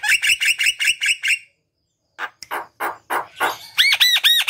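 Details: Energetic Javan myna song meant to stir quiet mynas into singing: fast bright chirps, a silence, harsh grating notes, then a series of arching whistles.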